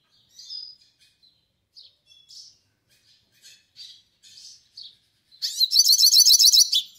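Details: Yellow-faced siskin singing a melodious song: soft, scattered high twitters and short chirps for about five seconds, then a sudden loud, rapid, buzzy trill of fast repeated high notes to the end.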